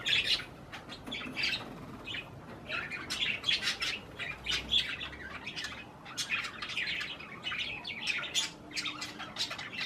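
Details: Indoor pet budgerigars eating cherry tomatoes chatter nonstop, several birds overlapping, with scratchy, high squawks and chirps in quick irregular bursts.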